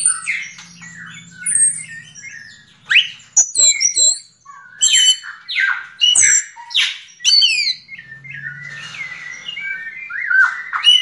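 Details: Yellow-legged thrush singing: a rapid, varied jumble of squeaky whistles, sharp chips and rising and falling notes in bursts separated by short pauses, over a faint low hum at the start and near the end.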